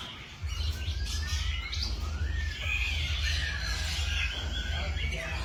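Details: Birds singing in the morning outdoors, with several overlapping whistled and chirping phrases, some rising and falling, over a steady low rumble of background noise.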